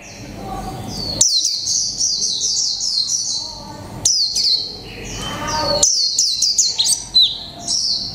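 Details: Caged mộc tinh white-eye, one month in the cage, singing in the líu pha chòe trống style (warble mixed with male magpie-robin phrases): three bursts of very high, rapid, downslurred chirps, separated by short pauses, over quiet background hiss.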